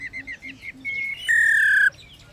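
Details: Captive female laughingthrush calling to excite males into singing, giving a handful of short chirps with softer low notes between, then two drawn-out piercing whistles, the second louder and held for about half a second.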